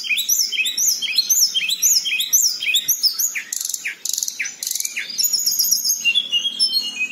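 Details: Local Tledekan in a long rolling song meant to coax silent birds into singing: rapid high chirps and sweeping notes, a few lower slurred notes between bursts, then thin high trills, with a faint low hum.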